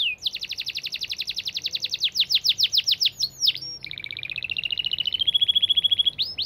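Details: Long, clear canary song in the fast, dense 'speed rapat' style: a quick series of high chips, a brief pause, then a smooth rolling trill that rises slightly and holds steady.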